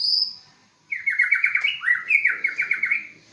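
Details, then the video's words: White-rumped shama from Aceh, a competition-class songbird, delivering a long, pure whistle, then after a pause a fast run of rich, warbling, trilled phrases that rise and fall, loud and clear. "Murai batu Aceh Prestasi"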